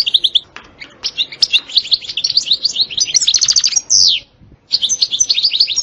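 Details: Twittering European goldfinch song featuring 'sitsta' and 'batbata' passages: rapid high chirps in dense strings, a loud falling sweep, a short pause, then more quick bright twitters.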